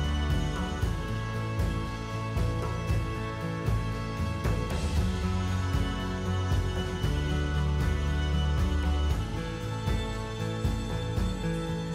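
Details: Steady instrumental music with a deep, pulsing bass line fills the whole stretch, and no animal calls come through.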